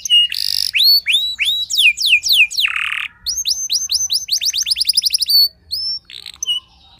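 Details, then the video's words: Singing canary whose voice is said to unsettle rival canaries, delivering clear descending whistles, a buzzy rasping note, then rapid rolling trills of repeated rising-falling notes and short chirps, over a faint low hum. "merdunya kicau burung kenari yang membuat galau kenari lain"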